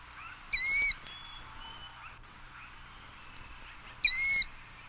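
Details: Killdeer from an eastern birds collection: two separate ringing calls that slide downward, about three and a half seconds apart, with faint thin whistles from other birds and a quiet background between them.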